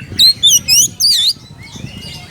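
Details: Oriental magpie-robin calling a rival: four loud, clear whistled notes sliding between high and mid pitch, each roughly a quarter second, followed by fainter thin twittering and soft low background rumble.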